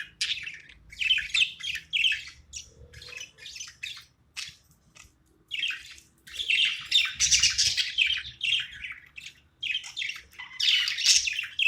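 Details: Playful pet budgie chirping in bursts of quick, raspy high notes with brief quiet gaps, the warbling growing denser and louder in the second half.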